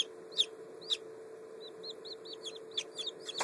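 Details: Black French Copper Marans chicks less than one day old, filmed 14 May 2011: scattered piercing peeps, then a quick run of softer rising-falling cheeps, a few sharp clicks, and a steady low hum.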